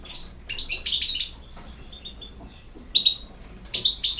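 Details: Goldfinch twittering at moderate volume: a cluster of tinkling notes, a thin slurred whistle, then short separate chirps near the end.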